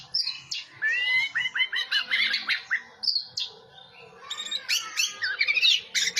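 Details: Orange-headed thrush in full song: a rich, varied run of whistled and chattering phrases, with rising and falling slurred notes, brief pauses and renewed bursts of twittering and scratchy trills.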